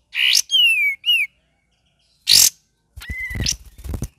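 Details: Cream-vented bulbul singing in the gacor and ngeriwik style, used as bird-training material: three loud buzzy-edged whistles, a shrill burst after a pause, then a flat whistle among low rustling clicks.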